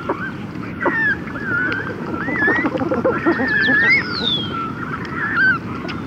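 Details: Red-gartered Coot chicks and adults recorded close up in conversational calling: overlapping whistled notes, some rising high and sliding down, busy in the middle, over steady low background noise.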